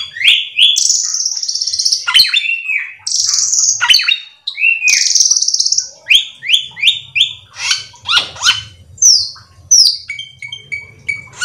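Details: Energetic cucak keling song used to bait others into singing: looping whistled slurs and buzzy trills, then a series of rapid, rhythmic chirped notes roughly twice a second, ending with clear repeated whistles over a faint low hum.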